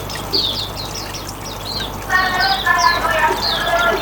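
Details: Hume's white-eye riwikan song, used as a lure for other birds: rapid high thin chirps and short downslurred notes, then steadier lower harmonic tones join from midway, over a low background rumble.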